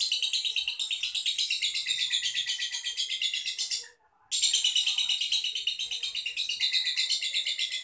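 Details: Contest-class caged lovebird from Boyolali, Indonesia performing its long 'ngedur' trill: sustained shrill buzzing notes, a brief pause near the middle, then the rapid trill resumes at full strength.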